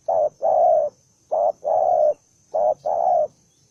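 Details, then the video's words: Spotted dove described as aggressive and combative, giving loud deep coos in three paired phrases: a short note then a longer, steady hoot, repeated about every 1.2 seconds in a quiet setting. "Kênh cu gáy- bổi 01 con đồng son hung hăng hiếu chiến như bọ xít"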